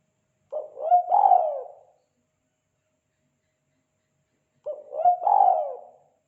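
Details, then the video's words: Spotted dove giving the 'kuk 2' call, used for tutoring and luring birds: two low, hoarse cooing phrases about four seconds apart, each a short stuttered note followed by a longer rolling coo, with silence in between. "Suara panggilan burung tekukur kuk 2"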